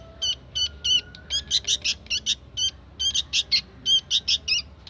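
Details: Young sooty-headed bulbul singing actively: quick high chirps, first spaced, then tumbling into fast clusters of three or four, bright and ringing.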